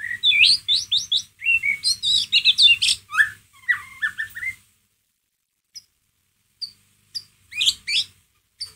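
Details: White-rumped shama giving ngeriwik calls, offered as a lure to stir a pet shama's emotion: a dense burst of fast whistled, rising and falling chirps for about four seconds, then scattered short sharp notes after a pause.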